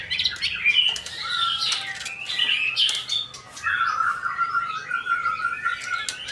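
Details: Male white-rumped shama, a kept songbird, in full song: a continuous varied stream of bright whistles, chattering trills and rapid chirps, with sharp clicking notes mixed in, almost without pause.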